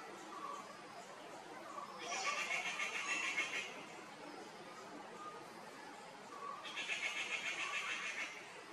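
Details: One of a pair of grey-fronted green pigeons in Kerala gives two wavering, fluty whistled phrases about four seconds apart, each over a second long, over faint background birdsong.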